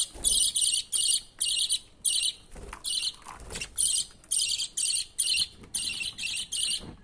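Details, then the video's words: Father budgie feeding a climbing chick; the young bird gives rapid raspy buzzing pulses in a near-continuous chain, hoarse and high, with faint fluttering and knocks underneath. "Baby Budgie climbing for feeding food from father budgie."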